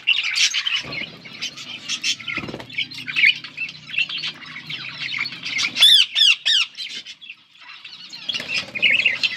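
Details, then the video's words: Budgies, or parakeets, chirp and sing on August 19, 2024. Busy high warbling is broken by a brief quieter gap, then a run of sharp, sweeping squeaky notes before the chatter resumes. A low hum runs underneath. "Budgies chirping and singing"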